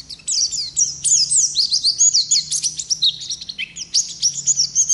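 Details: Oriental white-eye of the Ngalas type in lively, long continuous rolling song used as a tutor recording: rapid, unbroken high twittering of sharp chirps and quick slurred whistles, very dense and busy throughout.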